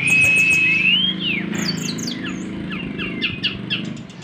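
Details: Brown-chested jungle flycatcher in Nyengklak style song, opening with a long clear level whistle that lifts at the end, then a tumble of rapid chirps and downslurred notes over a low hum.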